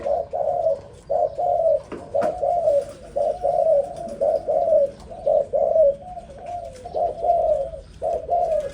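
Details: Young zebra dove delivering steady rhythmic bursts of warbled, trilling coos, each lasting under a second, repeated about once a second. A sharp click is heard early on.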